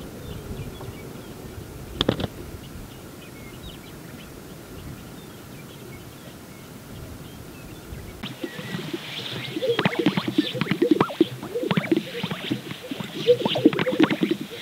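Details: Greater sage-grouse at a spring lek in Central Montana, 2022, recorded on a morning visit: quiet ambient start with one sharp knock, then from about eight seconds dense bubbling pops and soft swishes from displaying birds.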